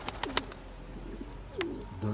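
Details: Male Turkish tumbler pigeon, four years old, pursuing his mate toward egg-laying; a short husky coo falls away near the middle, framed by sharp clicks and taps and a low constant hum.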